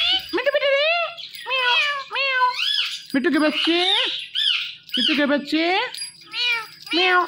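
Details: Pet Indian ringneck parakeet speaking "Mitthu" indoors: continuous bursts of nasal, speech-like phrases with bending harmonic syllables, broken by short pauses.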